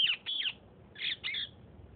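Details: Sindhi parrots squabbling: a rapid run of harsh, raspy squawks in two bursts, each of two or three strident notes with falling, buzzy inflections, over light background hiss.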